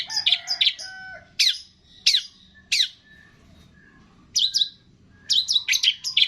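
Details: Long-tailed shrike training song containing imitations of cililin, greja tarung, lovebird, tengkek and kapas tembak. Clusters of harsh squawky chips alternate with thin, steady whistles and gaps of near silence.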